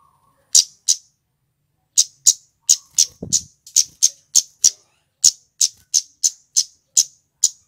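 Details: Male scarlet-headed flowerpecker, used as a lure for trapping flowerpeckers: a sharp, very high, dry 'tsit' note repeated about seventeen times, first as a pair, then after a pause in a fast, fairly even series.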